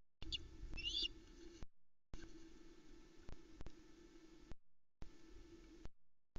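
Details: At the Loch Arkaig nest on the evening of 7 Jul 2020, hungry ospreys give a quick burst of high, sharp whistled chirps as they mob the male arriving with a small whole trout, the third fish of the day. Then quiet under a steady low hum.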